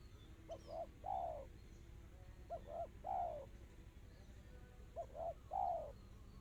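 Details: Spotted dove repeating its song three times, roughly every two seconds, in the crisp, tight, quick style called kristal rapat cepat. Each phrase has two short coos and then a longer, downward-sliding coo, over a steady low background hum.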